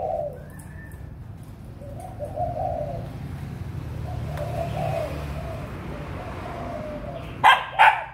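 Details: A breeding spotted dove, 6 December 2021, gives soft hoarse coo phrases at the start and again around the middle, spaced by pauses. Two sharp dog barks come near the end over a low background hum.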